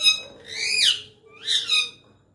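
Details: Pet parrot calling as its owner coaxes it to call: two loud, harsh, harmonic squawks, each swelling and then sliding down in pitch, about a second apart, in quiet surroundings.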